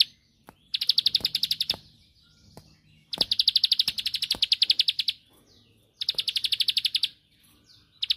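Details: A bar-winged prinia of the rice-field form gives 'ngebren' song phrases meant to stir a rival into answering: three one- to two-second bursts of rapid high ticks, separated by quiet gaps, plus occasional sharp knocks.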